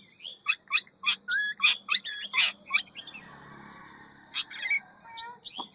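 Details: Hwamei of the ngũ trường type singing in many-voiced forest style: short, bursting notes and chips at a fast pace, then a pause with a few soft whistles, over a low background hum.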